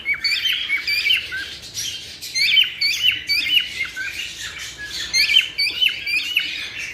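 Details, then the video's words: Group of cockatiels for mating stimulation: continuous high twittering with sharp squeaks and downward whistles, pulsing louder and softer every second or so. "تحفيز طيور الكوكتيل على التزاوج"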